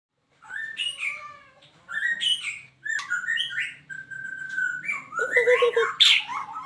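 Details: Eight-month-old white-rumped shama, captive-bred, from Medan: rich, varied song of fluting whistles and slurred phrases in bursts separated by short pauses, ending in a louder, harsher, more complex flourish.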